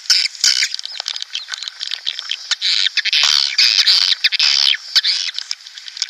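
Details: Swiftlet colony chatter from a 2019 lure recording used to pull flocks into a nest house: continuous squeaky, buzzy twittering swells and fades, broken by sharp clicks.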